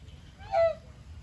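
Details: A domestic goose raised on a farm, feeding: one short, loud nasal honk that holds a steady pitch and then dips slightly, over a low background rumble.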